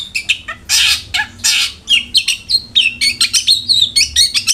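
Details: Long-tailed shrike singing to lure caged shrikes into song: a few harsh rasping bursts open, followed by a rapid run of varied whistled and chirping notes, each short and sharply accented.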